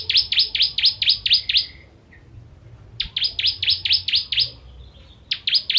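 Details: Repeated phrases of rapid, shrill chirping from a ciblek or bar-winged prinia, seven notes, a short pause, then another fast run and the start of a third; a recording for training contest birds.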